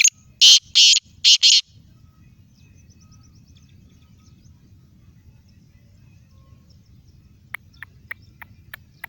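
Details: Black francolin calling in Sindh, Pakistan: three loud, grating, rasping bursts in quick succession at the start, then quiet with a low hum and a few faint, sharp ticking notes toward the end.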